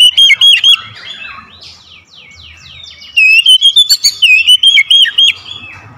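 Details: Oriental magpie-robin lure song meant to stir quiet birds into singing: loud, rich whistled phrases warbling up and down in bursts at the start and again after three seconds, with softer chirping and twittering between.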